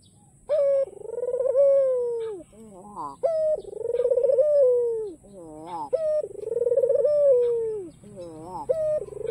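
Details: White ringneck dove with black collar in frequent song, cooing to draw rivals into answering: low rolling coos, each opening with a sharp rising note then a long wavering fall, repeated about every three seconds with quick upward-sweeping notes between.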